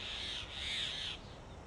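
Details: A Grey Hornbill at a Delhi nest in summer, where the male regurgitates food for the female sealed inside the tree hollow. One drawn-out, harsh, shrill squeal lasts just over a second.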